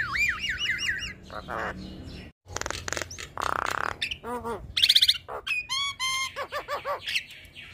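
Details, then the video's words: Black-winged starling, a persistently singing bird that nods its head while calling, gives looping whistled notes, then harsh buzzy bursts, sharp clicks and bright up-slurred whistles after a brief silent break. "Suara Khas Jalak Kebo Gacor MAnggut - Manggut"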